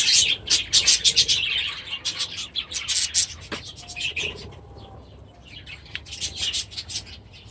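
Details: Budgerigars in aviaries with young chicks, July 2017, giving rapid bright chirps in busy clusters that thin out midway, leaving a few short whistled notes before the chatter picks up again.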